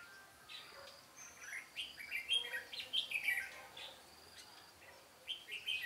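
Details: Red-whiskered bulbul used as a decoy in trapping, singing-duel style, recorded 13 March 2017: bursts of bright, warbling whistled notes with sliding, slurred phrases, a thin high steady tone behind, and faint background chirps.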